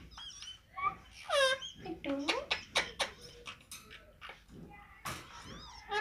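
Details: Rose-ringed parakeet talking while playing and feeding: rapid, clipped speech-like babble broken by loud, ringing squawks that fall in pitch, in a small indoor space.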